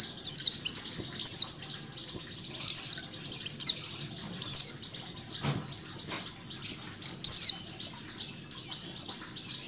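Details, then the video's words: Female mountain white-eye calling, combined with the calls of a flock of white-eyes, used to encourage caged birds to open their beaks; high, rapid chattering phrases of short descending notes repeat throughout, with a soft low thump in the middle. "PLECI BETINA ngecal + suara pleci ombyokan"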